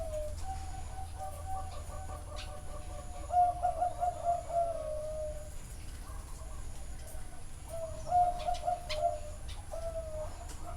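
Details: Zebra dove song from a bird farm in Chana, Thailand: two phrases, each a brisk string of stuttering coos sliding into a drawn-out falling note, with fainter cooing from other doves between.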